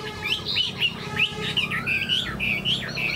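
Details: Wild-caught Chinese hwamei kept in a cage, fanning its tail while displaying its wings: short bright whistled slurs come in quick bursts, with one long low rising-and-falling tone in the middle and a background murmur underneath.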